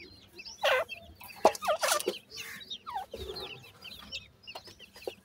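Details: A group of feeding francolin (teetar) chicks makes high, curling chirps and squeaky down-slurred peeps. Several loud, harsh bursts and sharp taps mix in, and the chatter never pauses.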